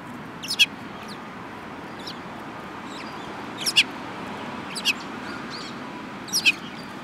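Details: Sparrows, one of them yellow-beaked, on 18 January 2018 give crisp high chirps, often paired in quick doublets, four clear bursts spaced irregularly about a second apart, with a faint steady hum beneath.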